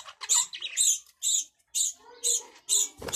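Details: Budgerigar making clipped, shrill chirps in a fairly regular series with short silent gaps between them, ending on a brief rustle.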